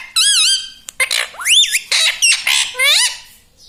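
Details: Pet ring-necked parrot indoors, talking and mimicking words: a rapid run of loud, harsh harmonic syllables, some sweeping steeply upward, others wavering, packed closely with brief gaps, squawk-like in tone.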